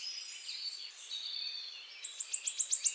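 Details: {'text': 'Wood warbler (Phylloscopus sibilatrix) in song: faint thin whistled notes at first, followed by a speeding series of sharp, high ticking notes growing louder.'}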